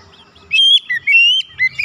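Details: White-rumped shama singing, played as encouragement for other birds: a loud sustained whistle, then a short dip and another long clear note, ending in quick rising slurs.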